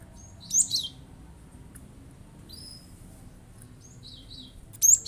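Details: Cinereous tit (glatik batu) delivering its provoking 'shot' bursts to stir other birds to sing: a brief shrill squeaky burst early on and another at the end, with thin distant whistles and buzzy notes in between.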